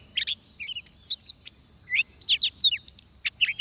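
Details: Oriental magpie-robin song from a trapping session, a fast stream of sharp whistled notes and twisting slurred phrases delivered in tight clusters, loud and clear against a quiet background.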